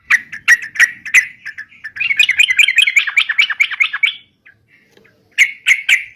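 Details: Sooty-headed bulbul in energetic song for luring birds: separate sharp chirps, then a dense stretch of rapid warbled notes, a brief quiet pause, and a final burst of chirps.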